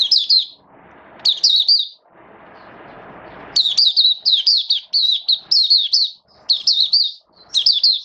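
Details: High, sharp chirping song of a caged Oriental white-eye in wet weather, 8 October 2022: loud clusters of fast, twisting notes broken by brief rustling noise, then a long run of repeated chirps.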